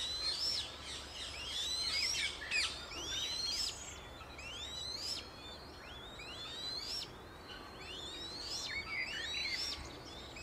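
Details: Eurasian coot with five chicks, filmed in Beverwijk, the Netherlands: a stream of high, thin, upward-sweeping piping notes from several birds, loosely spaced and irregular, over constant low outdoor noise.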